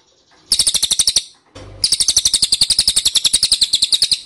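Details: Repeated shrill chips of an ashy tailorbird, played to draw replies from birds: a short run, a brief pause, then a longer rapid, even series of high notes.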